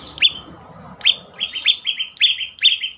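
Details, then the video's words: Prinia song used as a lure to coax silent birds into singing: bright, clipped chirps with falling tails, coming faster toward the end in close pairs, with a low background hum. "full Dorrr prenjak lumut lain makin tergoda berbunyi sangat ampuh untuk pancingan burung bisu"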